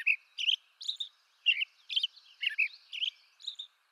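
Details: American robin song from eastern North America, a string of rich warbled whistled syllables about one per half second, alternating lower and higher pitched phrases, with a faint steady high hiss behind.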